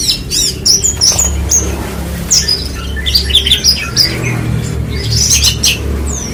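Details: Horsfield's bushlark of the parva form sings in lively bursts: high looping whistles, squeaky chirps and short trills between quieter gaps, over continuous low hum.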